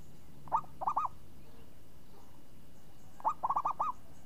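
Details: Zebra dove, a champion singer with a crisp, swinging voice, gives two cooing phrases about three seconds apart. The second phrase is longer, with five or six rapid, rounded notes.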